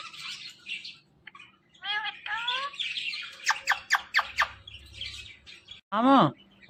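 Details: Pet ringneck parrot talking and chattering: soft twittering, wavering speech-like phrases, a quick run of sharp clicks, then a loud falling squawk near the end.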